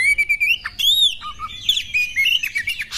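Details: Female white-rumped shama heard in a recording meant to trigger a male's emotional, tail-spread fighting display; a steady whistled trill, then a clear arched whistle and mixed squeaky, sliding notes.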